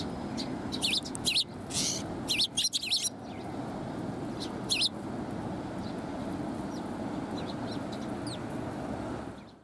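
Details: A group of sparrows crowding around a person at a Tenmangu shrine, afternoon of 13 March 2020, give clustered bursts of high, sharp chirps early on, then fainter scattered notes over a low constant hum.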